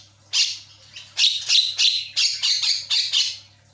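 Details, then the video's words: Javan myna used as a lure to make a silent bird chatty, giving a rapid series of loud, harsh, raspy squawks about four per second after a single opening burst, with a low electrical hum beneath. "JALAK KEBO MACET, DIJAMIN LANGSUNG CEREWET"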